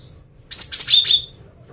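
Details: Female cinereous tit singing to lure males: a single brief phrase of three high, clear whistled notes, each slightly lower than the last, over a quiet background.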